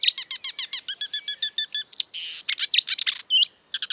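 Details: Exuberant marsh warbler (Acrocephalus palustris) singing a fast, varied song: rapid repeated chirpy notes in series, then buzzy bursts, sharp downslurred whistles and a twangy slurred note, switching phrases every second or so.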